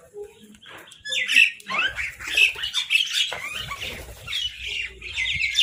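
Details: Crows fighting for food: a quiet start, then a dense burst of raspy, overlapping squawks and caws from several birds continuing to the end.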